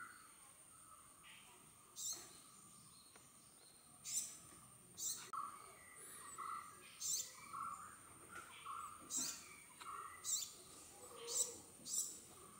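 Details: Male Purple sunbird (Cinnyris asiaticus), a nectar feeder recorded close up, courtship song: sharp, high, metallic chip notes about every second mixed with short twittering phrases, over a steady high insect-like hiss.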